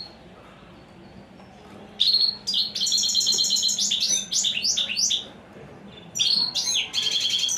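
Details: A wild-caught European goldfinch, described as a fine singer, gives quick, bright bursts of tinkling, twittering notes and liquid trills, high-pitched and rapid, in two spirited phrases with a pause between.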